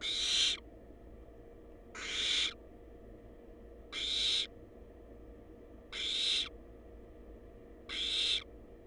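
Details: Nest-cam recording of wild barn owl chicks in a monitored box: five harsh, breathy hisses, each about half a second long, repeated at steady two-second intervals over a quiet electrical hum.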